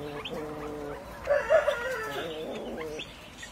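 Grey peacock-pheasant giving soft, mid-pitched clucking notes, with a brief louder run of three sharper clucks near the middle.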